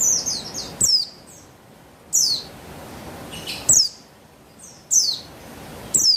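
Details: Female buxtoni white-eye, used to coax a male into song: single sharp high chips that slide steeply downward, spaced one to one and a half seconds apart over a quiet background.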